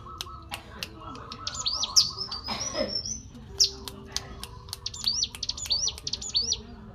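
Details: Wild mountain prinia (ciblek gunung) giving clicking calls in a natural setting, used to lure other birds into calling. Sharp dry clicks repeat irregularly among thin high upslurred chirps. Ends in a series of quick rising notes, with a faint low hum in the background.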